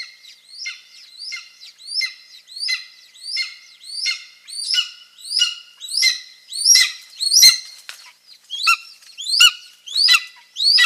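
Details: Golden eagle calls recorded close at a Finnish nest with two eaglets and both parents present, May 3, 2024. A loud, steady series of high, harsh chirps repeats roughly every three-quarters of a second, with a brief rustle midway.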